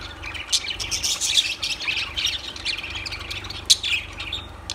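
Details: Lovebirds giving a run of thin, shrill chirps and scratchy squawks that blur into continuous chatter, with a couple of louder sharp notes standing out and a soft low hum behind.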